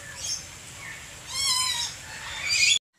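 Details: Lory from a collection utters a single drawn-out, harmonically rich squawk, preceded by softer chattering and followed by a harsh, hissing burst before the sound cuts off.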